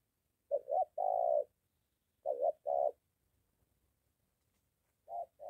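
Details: A molting decoy spotted dove being trained near home answers a wild dove. Quieter coos come in clusters: a quick double note and a longer hoot, then another pair, with pauses between.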